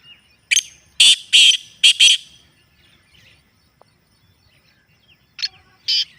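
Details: Captive black francolin in a natural recording used to get the bird active and calling: a cluster of four to five rasping, scratchy broadband notes near the start, silence in the middle, then two more harsh bursts at the end.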